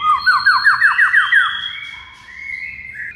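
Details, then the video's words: White-rumped shama (murai batu) in a tutor recording meant to prompt a silent bird into full song: a quick run of about eight downslurred whistled notes, then long, level, clear whistles that slide higher toward the end. "HITUNGAN DETIK MURAI BISU BAKAL RESPON GACOR DENGAR MASTERAN MURAI BATU INI"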